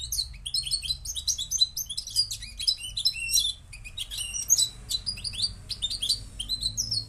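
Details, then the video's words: European goldfinch of Moroccan type pouring out fast, tinkling high-pitched twitters and buzzy chirps in an unbroken stream, with a soft low rumble in the background. "jilguero marroquí"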